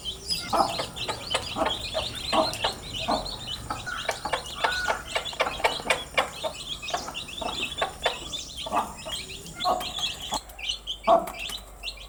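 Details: A group of newly hatched chicks chirps without pause over twelve seconds, producing a dense stream of high, brief, sliding peeps. Irregular knocking and rustling runs through it, and the background briefly goes quiet near the end.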